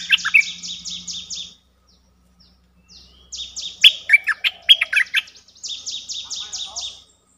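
Streak-eared bulbul: quick runs of five or six dry, buzzy high notes, with a burst of sharp bubbly chirps in between, over a faint low hum.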